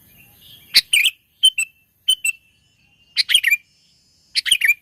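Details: Sooty-headed bulbul in the mountains, recorded as a trapping lure; short bursts of bright, bubbly chirped notes come in separate phrases with brief silences between them, each phrase a quick tumble of three or four notes.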